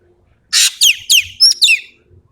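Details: Sumatran ekek keling (green magpie) delivering 'tembakan' shot-like song: one loud noisy rasp, then four quick, piercing whistles sliding downward, packed into about a second and a half.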